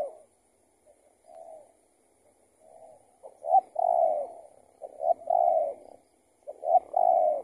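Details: Spotted dove answering a decoy during trapping, possibly an escaped tethered bird. Faint distant coos at first, then three loud close phrases, each with brisk introductory notes running into a long mellow coo.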